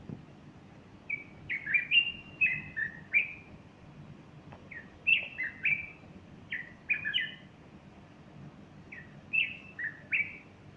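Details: Sunday morning, 30 August 2015: a bulbul pours out repeated phrases of fluty, bouncing whistles while a female nearby fluffs her feathers, with several phrases spaced a second or two apart over a faint background hum.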